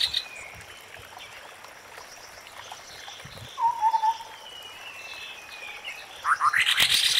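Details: White-browed scimitar babbler in forest giving a short burst of hollow, whistled notes near the middle, with thin high chirps from other birds before it and a busy twittering at the end over steady forest hiss.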